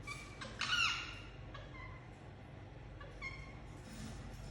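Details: Indian ringneck parakeet giving one loud, bright chirp with a bent, falling tone early on, followed by a few faint short chirps against a low background hum.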